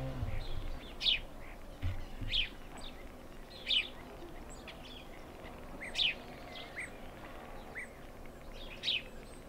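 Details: Male house sparrow calling with bright, downward-sliding chirps repeated every one to two seconds, several fainter chirps between, against a low background rumble.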